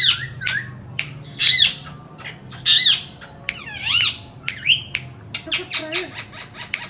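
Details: Indian ringneck parakeets, described as talking and making sounds: loud, harsh squawks and sharp shrieks arrive in irregular bursts, with a quick series of clicky notes and a low wavering sound near the end.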